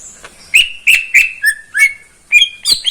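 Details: Caged greater green leafbird belonging to a neighbour, morning song: strong whistled notes with harsh overtones, a brief lower slurred note in the middle, then quicker rising notes at the end.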